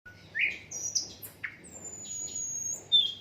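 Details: Asian brown flycatcher in an unedited recording meant for tutoring other songbirds: a short buzzy rising note, then high thin whistles and clicks, with a long level high whistle and a final sharp chip.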